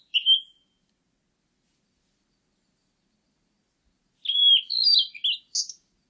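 A Blue-and-white Flycatcher gives one clear, high whistled note, then after a four-second silence a quick run of slurred, warbling whistles. No other sounds.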